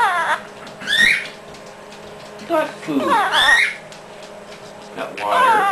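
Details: Pet Quaker parrot practicing chatty talk indoors: several warbling, speech-like phrases with rapidly wavering pitch, each about half a second long, separated by short pauses, with a faint steady hum behind.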